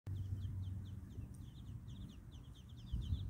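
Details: Baby Muscovy ducks giving a steady series of thin, high peeps, repeated several times a second, over a constant low rumbling background noise.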